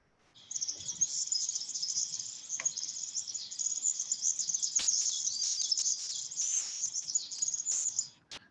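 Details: A European serin, whose song heralds the arrival of spring and is sometimes given from antennas, pours out a continuous, high, jingling chirr of rapid buzzy notes for about eight seconds, with faint room noise behind.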